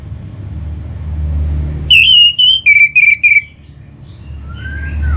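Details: An orange-headed thrush sings as a lure for kept birds. A loud phrase of clear whistles ends in about six quick repeated notes, followed by a soft falling whistle.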